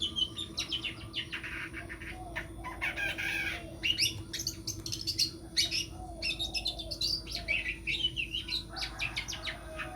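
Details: A caged long-tailed shrike, raised for singing contests, pours out a fast, rambling run of scratchy chatter, sharp chips and short whistles over a constant background hum.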